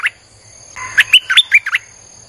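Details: Streak-eared bulbul singing as a lure for wild birds, delivered without pause: a quick run of six or seven liquid, bubbling, up-and-down chirps in about one second, after a short opening note, with a faint constant high tone.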